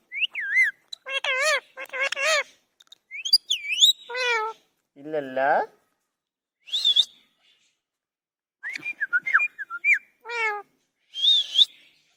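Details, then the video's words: Talking parrot uttering scattered wavering speech-like syllables, one lower drawn-out phrase, and several thin high whistled notes, separated by silent gaps. "Funny Parrots talking"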